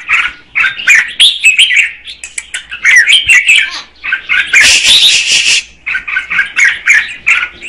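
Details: Female red-whiskered bulbul sings to stimulate the male with jerky warbled phrases and chirps, broken by a loud hissing burst of broadband noise in the middle before the phrases return.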